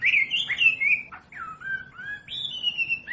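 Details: Wambi song meant for teaching captive birds: bright wavering whistles, a quick downward slur, then drawn-out falling and level whistled notes.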